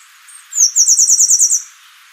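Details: Temminck's seedeater singing a single very high, buzzy, insect-like phrase of about nine rapid pulses lasting roughly one second, with a faint short note just before it.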